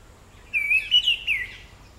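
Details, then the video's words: Orange-headed thrush (Zoothera citrina) gives a thin, high, slightly wavering call of three short linked notes over about a second, with a quiet background. "橙頭地鶇/Orange-headed Thrush"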